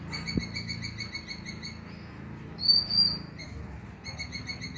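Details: Oriental magpie-robin (konin) lure recording meant to prompt singing at night: rapid high chirps repeated several times a second, broken by a brief louder whistled phrase midway, then the chirp series resumes.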